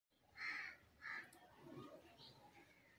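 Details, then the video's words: A rose-ringed (Indian ringneck) parakeet gives two loud, harsh squawks about half a second apart, followed by softer chattering mumbles. "Indian Ringneck Parrot sound,A Life of an Indian Ringneck talking"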